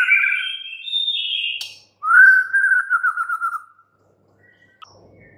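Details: Captive white-rumped shama giving smooth whistled phrases, then a wavering lower trill lasting about two seconds, followed by near silence.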